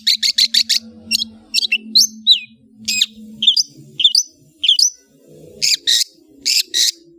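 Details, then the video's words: Long-tailed shrike chattering song: a rapid burst of five harsh broadband notes, then spaced sharp upslurred whistles and clipped chirps, ending in rasping double notes. A steady low hum runs underneath. "CENDET MEWAH ANDALAN Kicau Ocehan"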